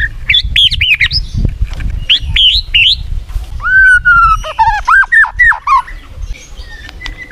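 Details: Murai batu (white-rumped shama) in a lure recording, giving bouncing high whistles, then a long low steady whistle followed by varied sliding notes, with faint low background rumble.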